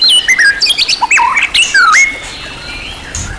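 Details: Champion-class white-rumped shama in a full, richly varied song used as a training recording for other birds: loud whistled notes sliding up and down, quick chirps and a long falling whistle, then quieter trailing notes.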